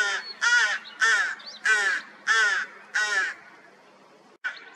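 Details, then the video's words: Rooks at their nest after chicks hatched, mid-May 2023, following a cold spring: five rough, grating caws in a steady series about every two-thirds of a second, then a quiet gap and the start of another. "У грачей появились птенцы"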